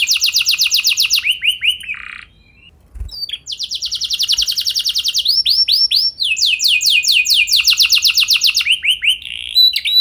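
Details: Canary delivering a rich lure song for training other canaries: long rolling trills of rapid repeated notes, a short silent gap, then varied trilled phrases and upswept whistles.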